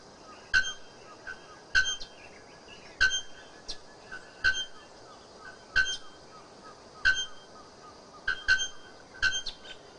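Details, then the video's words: Bare-throated bellbird singing: loud, metallic, bell-like clanking strokes with ringing overtones, given singly about every second, with a few softer strokes in between, over a quiet hiss of background. "canta el pajaro campana. vyra campana."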